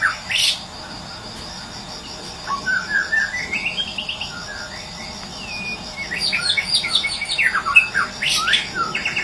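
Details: Wild white-rumped shama of the Medan type in morning song, used to coax silent caged birds to sing. A sharp high note opens, then rising whistled phrases and a rapid jumble of varied chirps, all over steady cricket pulsing.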